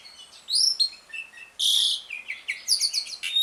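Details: Asian pied starling (jalak suren) ngriwik song, used to coax stalled birds into singing: a loud whistled upslur, a harsh buzzy burst, then rapid chattering notes and rising squeaks.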